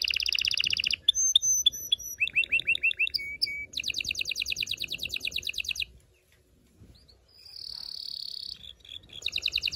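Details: Loud mating-stimulation song of a canary: a rapid trill, whistled notes, rolling phrases and another long fast trill, a brief pause, then a rising whistled note and a renewed trill.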